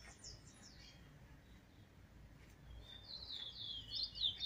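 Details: A young brown chestnut-bellied seed finch (Trinidad bullfinch), recorded alone on 7 November 2019 as it starts to sing, gives a quiet, rambling warble of high twittering notes: a brief burst, then a louder run of quick chirps.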